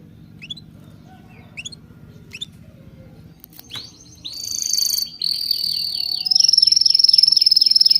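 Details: Birdsong that opens with sparse, short rising whistled chips. Denser chirping builds up and settles into a fast, ringing high trill in the last seconds.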